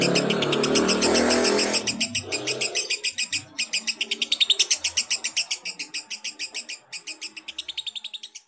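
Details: Long laughing ngekek of a fighter lovebird, used as a lure for young lovebirds: shrill, rapid chattering notes repeated steadily, with a burst of low rumbling noise at the start and brief gaps.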